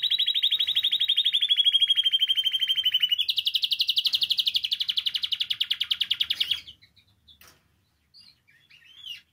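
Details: Singing canary, used to stimulate other canaries to sing: loud, fast trills repeated about four times a second, a steady tour that steps up in pitch midway, then ends in brief faint notes.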